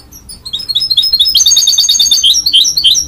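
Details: Goldfinch-canary mule sings a busy twittering song, quick repeated chirps building into layered high trills with slurred notes.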